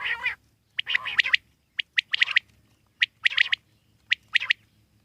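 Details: Wild common quail delivering rapid high, clicking three-note bursts interspersed with longer, grating notes, the phrases coming close together with little pause.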